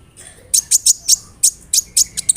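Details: Sunbird lure song meant to draw another bird into singing, containing imitated fill-ins; sharp, very high staccato notes repeated roughly every quarter second, piercing and evenly spaced.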